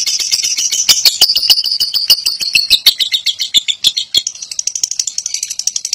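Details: Fighter lovebirds, kept birds, in a long ngekek song: dense high chattering trill of rapid repeated notes, steady and pulsing, about three per second clicks underneath, ending in a looser ticking rattle.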